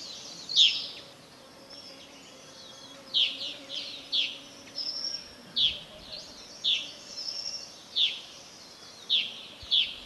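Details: Whiskered yuhinas (Yuhina flavicollis) near the summit of Doi Lang, northern Thailand: short, high, sharp chirps, roughly one or two per second at uneven spacing, over a faint steady low hum.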